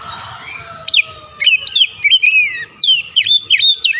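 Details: Kacer lure song intended to make a stressed bird that stopped singing burst into song: faint drawn-out whistles at first, then a lively series of loud, sweeping, falling-and-rising whistled notes with a low hum in the background.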